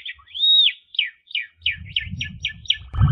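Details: Asian pied starling master song for training young birds: a clear arched whistle followed by eight short descending slurred notes repeated evenly, with low rumble and a burst of noise at the end.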